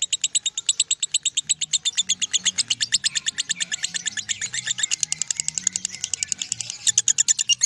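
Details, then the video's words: Nonstop chatter from a lovebird performing ngekek, its long continuous song: quick, metallic, high-pitched notes rattled off in an even run, slightly blurring together in the middle, with a soft low drone behind. "LOVEBIRD NGEKEK 1 MENIT LEBIH"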